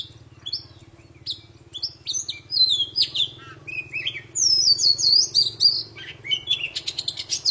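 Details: Poci bird in full, busy song aimed at rousing silent birds to sing: rapid varied whistles, slurred notes and fast chattering trills, with a low hum underneath at the start.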